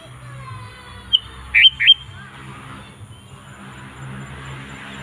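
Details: Sooty-headed bulbul singing eagerly to lure wild bulbuls to sing too. A high note and two quick looping whistles sound over a steady broad background hiss, like passing traffic.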